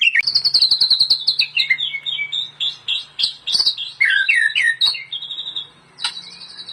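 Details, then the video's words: White-rumped shama (murai batu) in full song, recorded to train other shamas: rapid repeated high notes in quick series, descending slurs and warbled phrases, with a faint low hum in the background. "KOMPILASI MURAI BATU - KUMPULAN BEBERAPA SUARA OCEHAN BURUNG MURAI BATU GACOR UNTUK MASTERAN MURAI"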